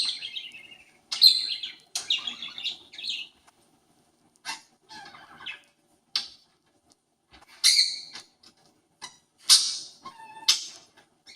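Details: A pet parakeet copying a conure's calls gives harsh, high squawks and chirpy bursts in an irregular run over several seconds; no other sounds stand out.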